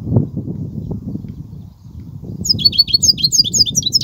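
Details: European goldfinch singing in the Kubiya style: a quick run of thin, high twittering notes and sharp descending slurs in the final second and a half, over a low, steady background rumble.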